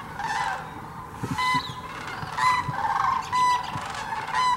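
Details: Sandhill cranes at Hiwassee Wildlife Refuge, Birchwood, Tennessee, where thousands migrate each year, recorded in 17-degree cold; loud rolling, rattling bugles about once a second, each rich in harmonics, over a distant flock chorus and a few soft low thumps.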